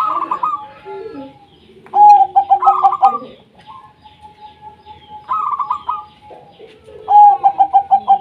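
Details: Local wild zebra doves calling busily, played to stir lazy doves into song: repeated bursts of quick staccato coos and higher rolling trills over a sustained flat tone, several birds overlapping.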